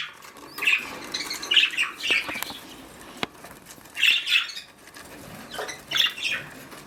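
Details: Mother budgerigar on duty at the nest: bursts of scratchy high chirps and chatter, in five clusters roughly a second apart, with rustling and a sharp click.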